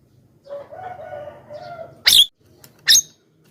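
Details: Javan myna lure call for drawing in wild mynas: two loud, rasping, scratchy screeches about a second apart, after a softer drawn-out harmonic crowing sound in the background.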